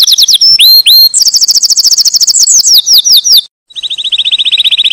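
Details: Canary song with quick looping slurred notes, a long fast trill of descending sweeps, a short pause, then a steady rapid buzzy roll.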